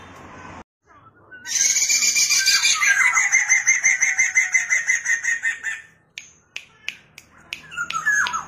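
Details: Black-throated laughingthrush, song played to lure and train young birds into singing: a sustained harsh, rapidly pulsed chatter of about three notes per second lasting several seconds, followed by sharp clicks and short squeaky notes.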